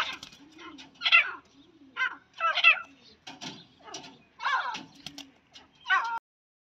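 A female grey francolin gives harsh, shrill, chattering calls in short bursts, roughly one every one and a half seconds, over a faint low murmur.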